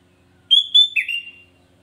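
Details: Single song phrase from a sooty-headed bulbul meant to stir up rival bulbuls: two bright whistled notes followed by a lower, slurred, bubbling whistle that trails off, with a quiet background.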